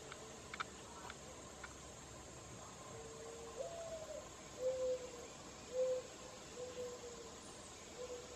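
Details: Mourning dove calling under a rain tree: soft, low, hooting coos, a rising first note followed by four level coos about a second apart, quiet against a steady background hiss.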